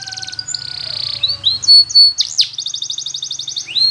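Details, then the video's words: Spanish Timbrado canary singing in a training recording for canaries: a varied, high run of buzzy rolled trills and sweeping whistled notes, with one bright, sharply bending note in the middle, over a faint low hum. "The Best Canary Sound !! Training Canaries To Diligent In Singing"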